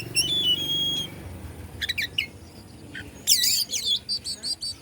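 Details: Oriental magpie-robin from Bandung, Indonesia, singing to agitate other magpie-robins: a long pure whistle opening, brief chips, then a loud burst of looping high warbled notes toward the end.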